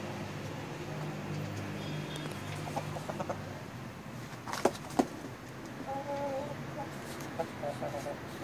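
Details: Black and blue mottled Brahma chickens, a rooster and young hens, give short clucks in a loose series during the second half, over a steady low hum, with sharp clicks and knocks nearby.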